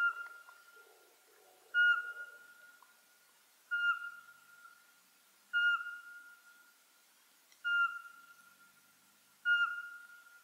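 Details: Eurasian pygmy owl from Ukrainian coniferous and mixed woodland, active at dusk, delivering a long series of six pure, level whistles, one roughly every two seconds, each fading after a sharp start.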